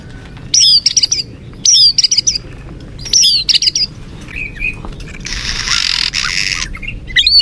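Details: White-rumped shama lure song for rousing a listless murai batu: three short bursts of high, rapid twittering phrases separated by pauses, followed by a burst of broad rustling noise and a final song fragment.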